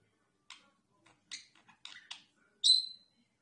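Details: Pet budgerigars make scattered short chirps and clicks in a quiet room, ending in one louder, clear whistled squeak.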